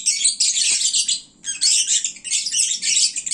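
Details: Lovebirds at midday, fed and drowsy, at their noisiest time of day: dense shrill high chirping in two long bursts with a short quiet gap near the middle.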